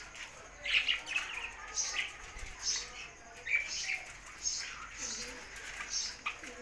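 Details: Budgerigar sounds: a steady run of short, bright chirps and squeaks spaced roughly every half second over a faint hiss, with an occasional soft warbled note.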